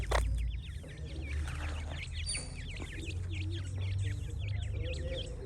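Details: Young francolins chirping in a busy, high-pitched chorus of hooked, rapid peeps, opening with a loud low thump and a low rumble underneath throughout.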